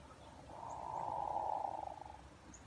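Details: Hooded merganser during courtship display, likened to a pickerel frog: one low, rolling, pulsed croak lasting nearly two seconds that swells and then fades. Faint background hiss throughout.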